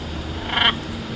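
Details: One of about 15 wild, free-flying blue-and-yellow macaws visiting to be fed in Caracas, Venezuela, on 27 July 2015 gives one short, harsh, raspy squawk of about a fifth of a second over a steady low hum.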